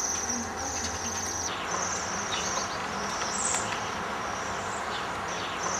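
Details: Winter flock of Bohemian waxwings (Bombycilla garrulus), arrived from the forest to strip berry trees, gives high, thin, buzzy whistling trills overlapping almost without a break, over a faint low rumble.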